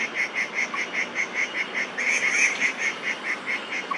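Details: Crested goshawks at Da'an Forest Park, 30 September 2022, males squabbling with each other while the female keeps watch: a fast, even series of sharp, high, nasal notes, about four a second, and a second bird seems to join briefly mid-series.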